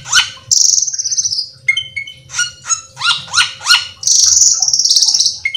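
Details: Cucak keling in energetic full song, used to provoke other cucak keling into singing: long high whistled strokes alternating with quick clusters of sharp descending chirps, repeated rapidly with a faint low hum beneath.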